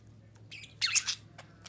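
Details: Female budgerigar voice meant to bring other budgerigars into breeding condition: a short, harsh, chattering burst of several high, raspy chirps over about half a second, with a few faint clicks after.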